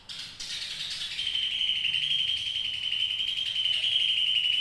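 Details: Greater green leafbird giving a long chattering song: a dense, rapid, buzzy trill held at a steady high pitch for several seconds after a short rough start, with no other clear sounds.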